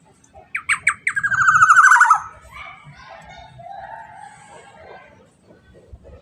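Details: Black-naped oriole: a short series of sharp notes leading into a rapid harsh buzzing chatter that drops slightly in pitch, then a softer lower warbling sound and low background rumble.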